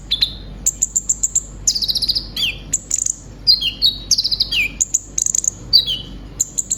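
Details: Brown-throated sunbird in captivity singing gacor material: dense high chirping, warbled trills and repeated down-slurred whistles in rapid succession.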